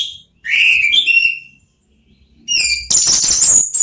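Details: Orange-headed thrush, one of three birds exchanging song. A clear whistled phrase with sliding, layered notes fades out. After a pause a harsher, rapid, high, buzzy twittering starts abruptly.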